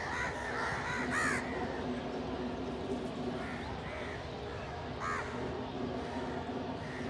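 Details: Several crows gathered to feed together with pigeons: a cluster of loud harsh caws early on, then scattered hoarse caws every second or so, set against steady broadband rumble.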